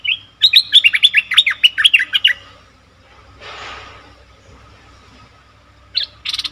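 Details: Bulbul decoy call for wild birds: a fast run of about a dozen bright, dipping whistled notes, then a quiet stretch with a soft rustle and a final short burst.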